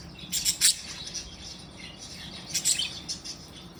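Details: Happy, playing budgerigars making short bright chirps in two quick clusters, separated by quieter high chatter, over a steady background hiss.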